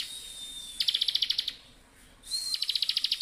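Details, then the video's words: Bar-winged prinia in lively full song: a thin steady whistle near 4k, then fast dry repeated ticking notes in quick bursts, a pause, and another rising whistle leading into a second rapid ticking run. "ciblek gacor full.. ngebren"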